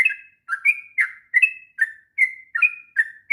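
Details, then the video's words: Sooty-headed bulbul giving a long, busy training song: short bubbly whistled notes around mid-high pitch, each slurring down then rising, repeated roughly every half second in steady bursts. "kicauan trucuk ngropel panjang...cocok untuk masteran trucukan bahan.."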